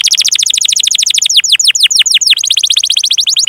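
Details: Long canary song used to train young canaries and ones that have gone quiet: an unbroken, very fast high trill, slowing midway into wider swooping notes before speeding up again.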